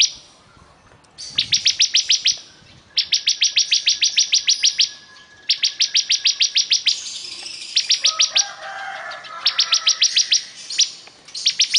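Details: ['Bar-winged prinia delivering rapid, evenly spaced bursts of bright high clicking notes, about ten per run, separated by short pauses, with a brief lower warble near the middle.']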